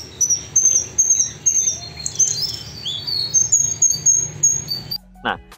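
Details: Rufous-browed Flycatcher song, described as rougher and louder than other flycatchers': high, thin whistles and sweeping shrill notes in quick varied phrases, over a low rumbling background hum.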